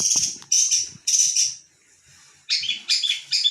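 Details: Long-tailed shrike (pentet) singing persistently: harsh, scratchy high notes in short bursts, a loud rasping phrase near the start, a pause of about a second, then three more grating bursts close together.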